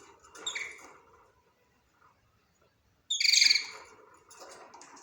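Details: A budgerigar first gives softer chirps, then after a pause lets out one loud, grating, harmonic squawking call lasting about a second, followed by quieter chatter.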